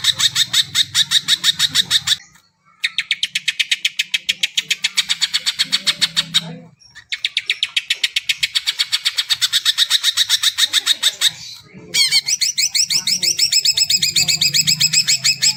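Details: Greater green leafbird, kept as a songbird, singing long fast trills of sharp repeated notes, broken by two brief gaps, the last section turning into quicker rippling warbles; low hum in the background at times.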